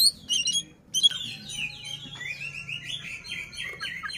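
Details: Oriental magpie-robin (kacer) displaying with its tail open toward a rival, giving a few loud sharp notes, then a steady stream of warbled, sliding whistles.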